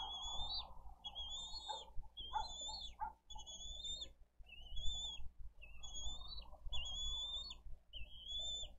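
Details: Hungry bald eagle chick calling for food at a Dade County nest, recorded by nest camera on 20 April 2023; around nine sharp, high whistled notes that rise then drop off, spaced about a second apart, over steady low rumble.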